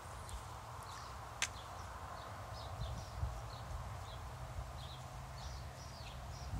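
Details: House sparrows feeding, giving short high chirps scattered through the clip, several birds calling, over a steady low rumble and one sharp knock near the start.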